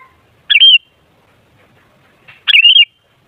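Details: Sooty-headed bulbul song used as a lure to make other bulbuls sing loudly: two short bubbly, warbling phrases about two seconds apart, each a quick rising note then a rolling whistled flourish, against a quiet background.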